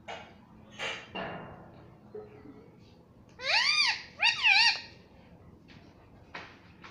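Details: Pet parrot that mimics "mummy papa": soft rustling and faint notes, then two loud, arched, word-like voiced syllables in quick succession, followed by quiet clicks.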